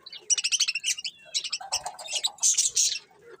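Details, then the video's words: Colourful budgerigars chattering in quick repeated chirps, high bright warbled notes coming in rapid succession. "Cute Colourful Budgies Chirping Sounds"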